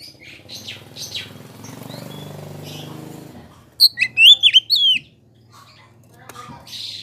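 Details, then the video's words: Oriental magpie-robin song used to provoke other magpie-robins: a low rumbling background fades, then a rapid burst of about five sharp, high whistled notes, followed by faint chirps. "KACER POCI ANDA PASTI LANGSUNG EMOSI JIKA DENGAR SUARA KACER INI"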